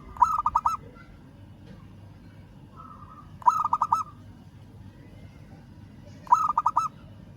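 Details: Rival-calling local zebra dove repeats a rhythmic cooing phrase three times, about every three seconds, each a leading note and then quick staccato pulses, with a faint sustained coo between phrases.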